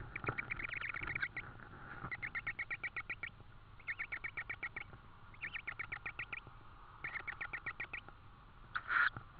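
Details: Tawny owl at a nest in Estonia, 4 May 2013 around 21:09–22:09, as food, an insect, is delivered again. Bursts of rapid, evenly spaced high chirping notes come in groups about a second long, separated by short pauses, with a louder harsh note at the end.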